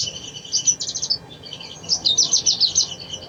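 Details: Sogon sung as a lure for a lazy bird: two quick bursts of high, tightly packed chattering twitters separated by a short softer gap.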